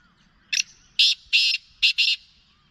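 A black francolin gives a harsh, grating phrase of five loud, scratchy notes in quick rhythm, the middle notes longer, over quiet background.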